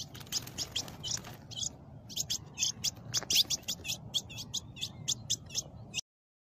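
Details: Blue-black grosbeak in a cage under attack by a snake in north-eastern Brazil, giving quick, shrill, clipped chirps repeated in irregular runs for about six seconds, with a low background hum, then silence.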